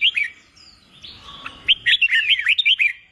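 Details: Song of a red-whiskered bulbul for training contest singers: a brief whistle, a soft hum-like tone, then a lively run of rapid looping, bubbling whistled notes.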